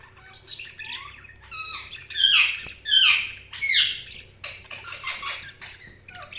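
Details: Budgies chattering with quick, scratchy chirps and warbled squawks, some notes rising and falling, the loudest bursts in the middle, with a low background hum.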